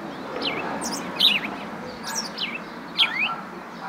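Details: Clear, sharp house sparrow chirps: high, brief notes falling in pitch, several in quick succession with short gaps, set against a soft, constant rushing noise.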